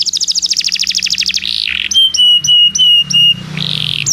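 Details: Belgian canary song, used for training canaries that do not sing: a rapid buzzy trill of repeated notes, then a rough burst, a series of clear steady whistled notes with sharp onsets, and a final harsh buzz.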